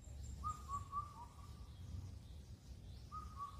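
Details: Indian cuckoo (Cuculus micropterus) at Cheonmasan, Incheon, Korea, calling through the night: a clear, whistled four-note phrase, the last note dropping lower, repeated after short pauses, over a low background rumble.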